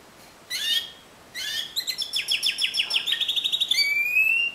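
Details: Timbrado canary in discontinuous style: two separate bright chirped notes, then a fast rattling train of about fifteen clipped notes, ending in a steady rising whistle.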